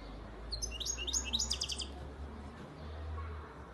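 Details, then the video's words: European goldfinch from Antalya, Turkey, a youngster of 2019, delivering a fast liquid twittering phrase of rising and falling notes for about a second and a half, then quiet over a steady low hum. "Saka kuşu ötüm"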